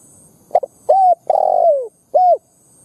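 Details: Brief spotted dove coo phrase from a lure bird meant to provoke wild doves to fight: a stuttered opening, an arched coo, a long falling hoarse note, then a final arched coo.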